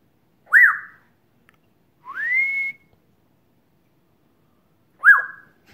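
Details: Year-old African grey parrot whistling while interacting with its owner: a short up-and-down whistle, a smooth long rising slide, then another quick up-down whistle, with quiet gaps between.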